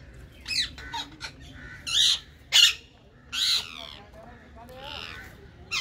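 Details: Indian ringneck parakeets of a green colony trade loud rasping squawks at irregular intervals, with fainter chatter and overlapping calls from other birds between the bursts.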